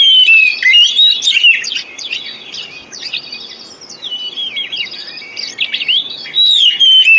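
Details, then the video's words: Oriental magpie-robin song used to stimulate birds that have gone quiet: bright whistled glides and scratchy chirps, loud at the start and end with a softer, chattering stretch in between. "Pancingan Kacer Full 1 Jam Untuk Terapi Kacer Macet Bunyi,Kacer Lemot,Kacer Bahan"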